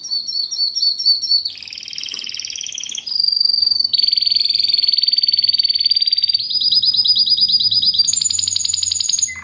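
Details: Strong, metallic Timbrado Español canary from 2013 in classic timbrado style, chaining rapid trills: a pulsed opening, a lower rolling section, then sustained bright rolls changing pitch every two to three seconds.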